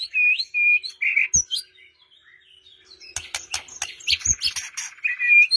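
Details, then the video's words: White-rumped shama song meant to coax a silent bird into answering: clear whistled phrases, a brief pause, then a dense burst of sharp clicking notes and high chattering, ending in a sustained whistle. "Murai Batu Diam Dengar Kicauan ini Seketika Langsung Nyaut GACOR"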